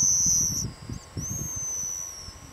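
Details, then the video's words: Pigeon guillemots give thin, very high, drawn-out wavering whistles over a low rumble of wind or surf; an elephant seal's breathing and distant roaring sea lions may also be heard. "Pigeon Guillemots"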